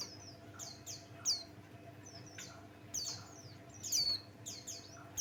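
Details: Buxton's white-eye, a Javan white-eye, male, used as a lure bird to provoke other birds into singing: very high, thin, rapid descending whistles and sharp chirps in quick irregular bursts, with a faint steady hum below.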